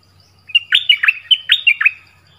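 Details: Nok dok taeng bird, known by its Thai local name, giving one clear song phrase of about seven quick whistled notes that dip and rise, bright and melodic, with a quiet start and end.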